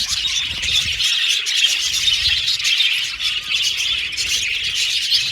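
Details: Aviary budgerigars singing and chirping together; busy, scratchy high chatter with rapid squeaky notes and harsher squawky bits, forming an unbroken wall of sound from the flock.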